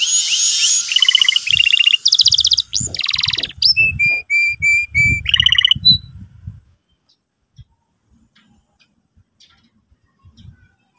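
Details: Canary song used as a lure for teaching a young canary to sing in the ngeriwik style: bright high chirps, rapid trills and buzzy whistled phrases for about six seconds, then near silence with faint low knocks.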